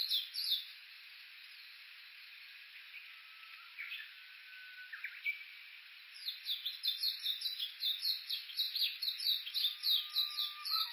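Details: Japanese bush warbler on Uguisu Road, Mt. Yakushi foothills, Kuga, Suo-Oshima, Japan, Olympus Voice-Trek V-82 recording: faint scattered notes and level whistles at first, then from midway a loud rapid run of repeated high notes.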